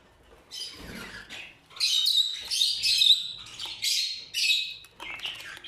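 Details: Rose-ringed parakeets of the purple lutino mutation give a run of loud, rasping squawks and screeches, overlapping and uneven, rising and falling in intensity.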